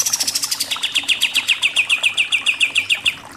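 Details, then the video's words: Kapas tembak, or pied triller, singing a 'super nembak-nembak' master song: a high rapid trill that steps down in pitch into a steady, fast series of sharp notes lasting about three seconds. "KAPAS TEMBAK SUPER NEMBAK-NEMBAK"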